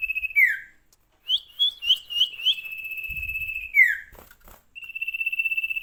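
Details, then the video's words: Sirtu singing vigorously: long sustained high whistles, some ending in sharp downward slurs, broken by short rising chirps, with a brief low thump in the middle. "burung sirtu gacor"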